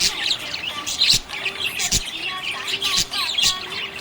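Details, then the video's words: Happy budgerigar giving quick, squeaky, buzzy chirps in rapid succession, a busy high chatter with brief louder bursts and faint lower sustained tones behind. "Happy budgie chirping sound"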